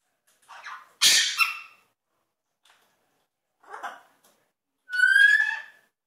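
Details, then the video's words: Pet African grey parrot performing sound effects indoors, kept alongside a macaw: scattered squeaky, scratchy bursts, one loud noisy crack, then a buzzy, rising whistled effect with layered harmonics. "African Grey does sound effects"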